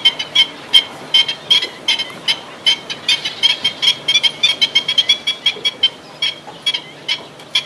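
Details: Black-winged stilt calling: a steady stream of short, sharp, nasal yelping notes, about two or three per second, some in quick pairs, continuing throughout with a low background hum.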